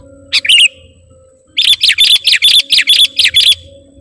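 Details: Vigorously singing sooty-headed bulbul (garuda type) calling out to a rival: a brief double chirp, a pause, then a rapid run of about nine bright, high, evenly pitched notes, clear against a quiet background.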